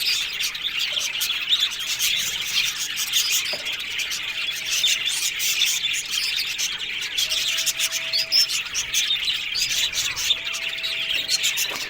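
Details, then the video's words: Aviary colony of Australian budgerigars giving nonstop high-pitched twittering and chirps from many birds, with faint low steady tones recurring in the background. "One Day Parakeet's Sounds Budgies Love Birds HD Sounds No 1"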